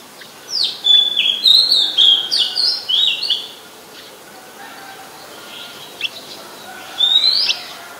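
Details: Oriental magpie-robin, Copsychus saularis, singing at Ubon Ratchathani, Thailand, 17 July 2021; a lively burst of about eight varied sweet whistled and chattering notes, a pause with faint ticks, then one final rising whistle.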